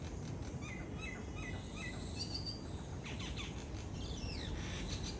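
Common myna giving a run of short whistled notes, then a longer arching whistle, over steady low rumbling background noise.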